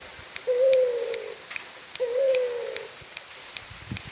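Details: Spotted dove singing vigorously: two low, smooth coos, each slurred and slightly falling, about one and a half seconds apart with quiet between, faint clicks and background noise.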